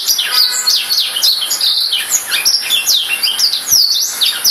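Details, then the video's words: A Black-throated canary pours out a lively jumble of high twitters and quick descending whistles, notes tumbling one after another with barely a gap. "Serinus Atrogularis"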